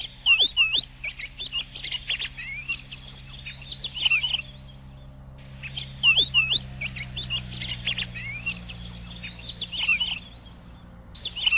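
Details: Warbling pine grosbeak phrases rise and fall in sweeping whistled notes, repeated in bursts every few seconds, over a faint low hum.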